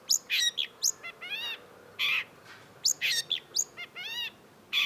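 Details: Long-tailed shrike (cendet) singing vigorously for a masteran tutor recording: harsh rasping notes alternate with thin squeaky whistles in phrases that repeat about every two and a half seconds.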